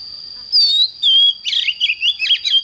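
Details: Morning song from an oriental magpie-robin, intense 'căng lửa' style: two long sliding whistles, then a rapid, scratchy warbled phrase mixing buzzes and short whistles, over a constant high faint tone.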